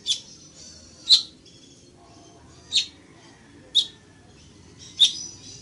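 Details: Village weaver giving sharp, high chip notes spaced about a second apart, five short bursts over a quiet background.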